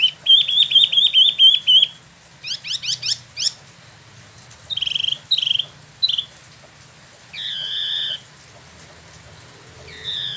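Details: Caged spot-throated babbler, known in Indonesia as wambi mini, imported from mainland China and Vietnam, kept about a year and freshly moulted, in Bandung, West Java, singing a rolling ngeroll song. A rapid trill of repeated notes, then buzzy rising sweeps and longer harsh, banded phrases.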